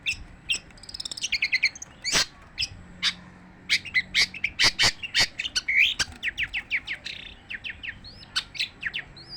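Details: Long-tailed shrike singing without pause: a rapid, varied stream of sharp chirps, high whistled notes and short buzzy phrases, with dense bursts and scattered single notes, over faint low background noise.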